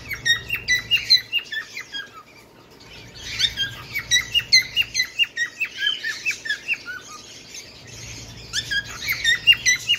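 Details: Bengalese finch song: bursts of clipped, descending chirps repeated rapidly, interrupted by short pauses, then resuming with brighter, slightly buzzy notes.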